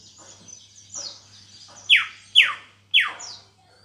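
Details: Caged greater green leafbird, just beginning to sing fully after recovering from a heavy moult, gives faint high twitters followed by three loud downward-sweeping whistled notes about half a second apart, with a low electrical hum beneath.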